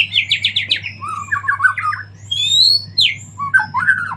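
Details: Post-moult white-rumped shama in active song: a quick run of rasping chirps, then lower warbled whistles, a high thin drawn-out note and bright slurred phrases, over a faint low hum.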